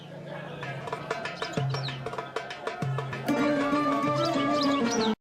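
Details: Percussive traditional music with plucked strings and wood-block beats, no animal sound.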